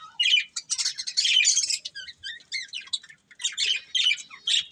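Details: Breeding pair of budgerigars producing sharp, clipped chirps and squawky high notes in quick broken phrases, with a brief quiet gap before a final run of calls.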